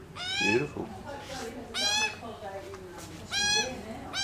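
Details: Australian magpies on a lawn, fed bacon and calling in the family, give three loud nasal calls rich in overtones, roughly one per second and a half, over a murmuring background.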